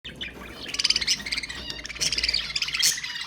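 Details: Budgerigars chattering to stimulate mating: dense overlapping chirps and warbles, with bursts of rapid trilled notes around one and two seconds in.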